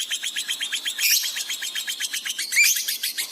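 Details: Lovebird in quick, excited song from a tutor recording for pet birds. Steady rhythmic chirps pulse evenly throughout, with two bursts of louder high squeaks.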